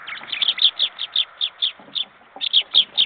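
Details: A flock of jackdaws on 21 February 2014 around 10:50, calling in a rapid, fairly even series of short sharp notes, roughly four a second, with brief overlapping voices.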